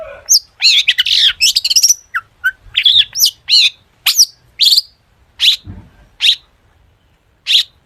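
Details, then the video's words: Mimicry-filled song of the long-tailed shrike used as a lure to set other shrikes singing: a fast scratchy warbled opening, then spaced sharp chirps and flicked whistles, slowing to single notes near the end, with one low thud. "cendet gacor FULL ISIAN buat pancingan cendet agar bunyi jadikan burung cendet gacor NYAUT"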